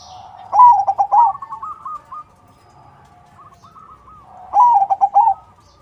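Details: Zebra dove crossing song for luring other doves to respond: two loud bubbling coo phrases about four seconds apart, softer answering coos drifting in between.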